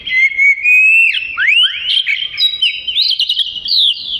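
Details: Oriental magpie-robin, a small black-and-white long-tailed songbird, singing a rich run of clear whistles: a long rising whistle, then swooping slurred notes and quick varied phrases, loud and continuous throughout.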